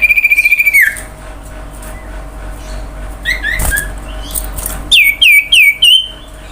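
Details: Lure song of a common iora, sung to draw other birds into song: opens with a long, steady, rapidly pulsed whistle, then a quiet spell, and ends with four loud, downward-swooping whistled notes spaced evenly.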